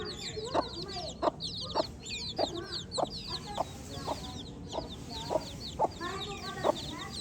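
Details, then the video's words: Baby chicks peeping rapidly and constantly in high slurred notes, while loud clicking taps repeat roughly every half second underneath. "Baby Chick Chirping Sounds"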